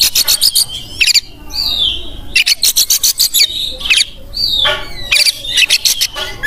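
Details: Oriental magpie-robin in full 'gacor' master song, alternating fast rattling harsh chatter with clear sweeping whistles that slide up and down, repeated in several phrases over six seconds, with a low hum underneath.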